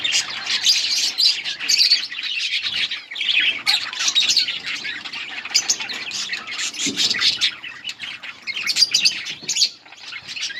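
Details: Colony of budgerigars chirping while eating: a dense, continuous chatter of high, scratchy chirps and squawks from many birds, overlapping without pause, with brief quieter dips around seven and ten seconds.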